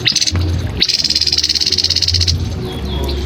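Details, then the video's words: Song of a grey-headed canary-flycatcher for training cagebirds: a brief buzzy note, then a long rattling trill of fast regular pulses lasting about a second and a half, over low background hum. "Suara Burung Tepus Kepala Abu"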